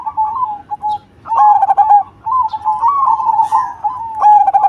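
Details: Black cemani zebra dove (perkutut) in full, loud song. Mellow, bubbling coo phrases wobble and trill, then end in a steadier drawn-out note. Three phrases run almost back to back.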